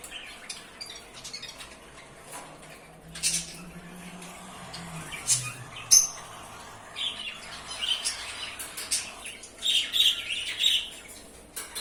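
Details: A pair of albino cockatiels give short, bright chirps and scratchy squawks, loudest toward the end.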